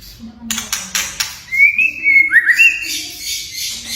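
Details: White-rumped shama song with whistles and kretekan rattles, played for young or silent shamas: several dry clicks, then a fast bright whistled phrase with rising slurs and a brief trill-like end.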